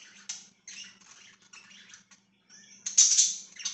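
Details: Pet budgies chirping, 24 September 2024: soft grating warble phrases with brief pauses, then a loud harsh burst of chatter near the end, over a gentle low hum.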